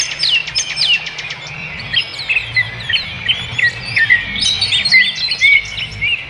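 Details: In the wild, a bird opens with a rapid burst of sharp ticking notes, then continues with varied chirps and slurred whistles, high-pitched and irregular, about two notes a second.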